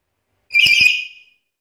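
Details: One short, rich whistled note with a buzzy edge from a vocally active black-capped lory that talks and mimics varied sounds, fading out smoothly.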